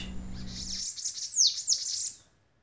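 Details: A Bananaquit, one of Brazil's most beautiful songbirds, gives a thin, very high, hissing run of rapid buzzy notes and sweeping squeaks lasting about a second and a half; a low hum fades out at the start.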